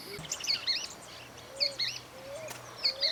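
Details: Golden-billed saltator recorded in Esperanza, Santa Fe, Argentina, in 2020: faint, short phrases of curved, slurred whistled notes, repeated roughly every second with brief pauses, plus a low, drawn-out whistle and a steady background hum.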